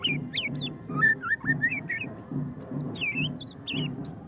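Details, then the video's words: White-rumped shama (murai batu pastol) singing in ngeriwik style: a quick run of varied whistled phrases, sliding and looping notes from mid to very high pitch, over a steady rhythmic low thumping in the background. "suara kicauan burung murai batu pastol ngeriwik - white-rumped shama"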